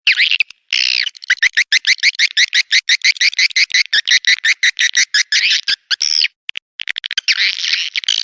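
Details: Swiftlet colony mating sound used as a lure to draw swiftlets: a fast, dense run of buzzy, twittering chirps, about two per second, with short pauses near the middle and end.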